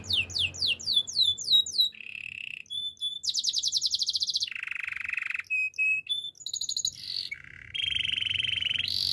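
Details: Canary song made of rapid phrases: quick repeated sweeping notes, then buzzy rolls and long trilled tours at shifting pitches, bright and loud with little background noise.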